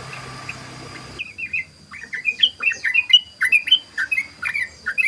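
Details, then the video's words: Following a second of hissy background, a sooty-headed bulbul launches into fast 'ropel' song used as a lure: a lively, uneven run of bright, slurred whistles and chirps. "SUARA BURUNG TRUCUKAN ROPEL❗❗❗BURUNG TRUCUKAN NGEROPEL"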